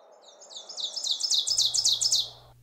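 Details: A male Ovenbird in northern woods in June, walking up a limb as it belts out its song: a rapid run of high, ringing two-note phrases that grows steadily louder, with a faint low hum near the end.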